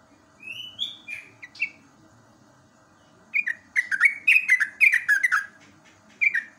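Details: Yellow-vented bulbul singing, natural recording used as tutor material for caged birds. Bright whistled notes, some rising, then a burst of rapid bubbly chattering phrases after a short pause, ending with one more whistled note. Quiet background.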